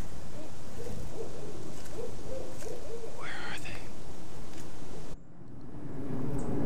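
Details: One of two wild barred owls in Mead Garden, Orlando, Florida, in trees near a palm, gives low, muffled hoots then a rising, drawn-out note, over a steady low rumble that cuts off abruptly near the end.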